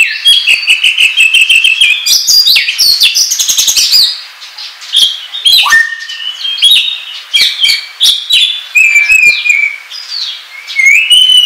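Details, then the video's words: Ngobra-style Oriental magpie-robin song, used as lure and tutor recording: a dense, rapid stream of sweet whistles, chattering notes and quick downslurs. A brief softer passage comes midway before the torrent resumes. "SUARA PIKAT KACER NGOBRA TERBAIK PALING AMPUH"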